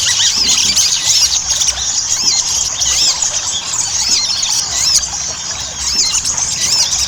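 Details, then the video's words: Lively Ruby-cheeked sunbird chatter played as a lure. Piercing arched squeaks repeat in irregular bursts roughly every couple of seconds, interleaved with faster twittering, over steady background hiss. "PANCINGAN SOGON AGAR CEPAT GACOR"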